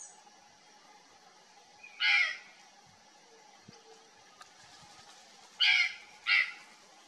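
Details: A purplish jay (Cyanocorax cyanomelas) in the Pantanal, apparently alarmed by something strange in a thicket, gives three harsh, rasping caws, one alone and then a close pair, against a steady insect hum.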